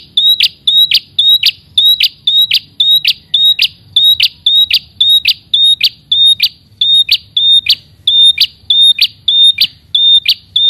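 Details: A red-headed prinia, singing strongly and calling to a rival, gives sharp, high, clipped notes, about two each second, steady and insistent, with only faint low background noise.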